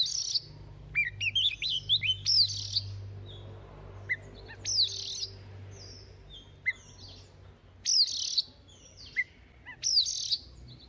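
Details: Oriental magpie-robin, recently wild-caught, warming up its voice at dawn. Clear whistled slurs and twittering notes are broken by sharp rasping bursts, delivered in irregular phrases over a steady low background hum.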